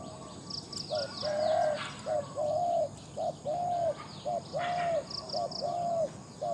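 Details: A captive decoy Spotted Dove from Thailand, prized for its loud voice, calls rapidly and clearly. Short hollow notes alternate with long level coos, five phrases in six seconds, over faint high chirping and a thin constant tone.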